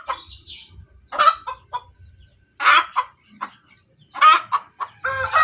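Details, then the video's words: Laying hen giving its post-egg cackle, the kotek kotek call: clusters of quick clucks building into loud, harsh drawn-out squawks, four bursts within a few seconds over faint low background noise. "SUARA AYAM SETELAH BERTELUR | AYAM BERKOTEK | AYAM BETINA BERTELUR"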